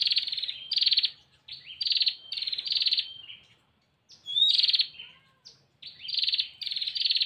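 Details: A female bar-winged prinia calls the male with repeated short, dry rattling bursts, a sharp rising whistle midway, and brief silent gaps. Background noise is minimal.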